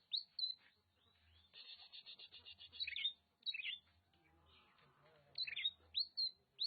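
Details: Kacer, or Oriental magpie-robin, in Nagan Raya, Aceh. Loud, crisp whistled upslurs alternate with a rapid, even buzzy trill and bright slurred phrases, separated by short pauses, against a quiet low hum.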